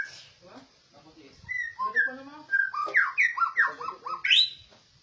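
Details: Rare, well-trained caged white-rumped shama singing: a varied run of clear whistled notes, then a quick series of short, falling whistles repeated about every third of a second, ending on a brighter rising note.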